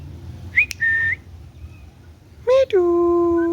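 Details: Pet green ringneck parrot talking: a short rising whistle, then a flat whistled note, then a loud, steady, voice-like harmonic syllable held for nearly a second, in a quiet room.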